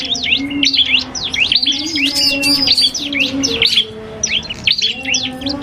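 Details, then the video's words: Common iora in a singing duel with a prinia: busy, high, sharply slurred chirps and twittering notes tumble over one another. A steady low hum runs beneath the song throughout. "FULL DUEL SUARA Cibelk kristal VS prenjak"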